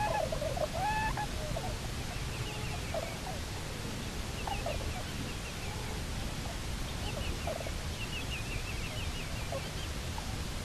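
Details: A returning pair of Bermuda petrels on Nonsuch Island, October 29, 2018, live camera recording: a burst of quavering, chattering calls at the start, then scattered fainter stuttering notes in steady background hiss.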